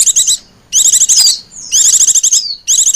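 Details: Lure recording of white-eyes for attracting wild ones: three bursts of fast, high, scratchy trilled chatter, one ending in a thin falling whistle, with short pauses between.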